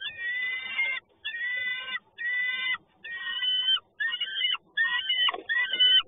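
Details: Peregrine falcon in Toruń, recorded 30 May 2019 around 10:14: a series of seven loud, harsh, nasal wailing calls, each about a second long with a slight downward bend, separated by short gaps.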